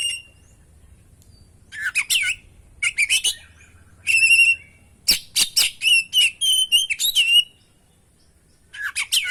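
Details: Oriental magpie-robin giving a varied, full song, played to prompt caged birds to sing. Clear high whistles, buzzy notes and rapid sharp chips come in several bursts with short pauses between them.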